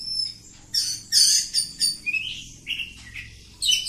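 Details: Kampung oriental magpie-robin in continuous ngacor song, loud rasping bursts followed by short rising whistled notes, delivered rapidly.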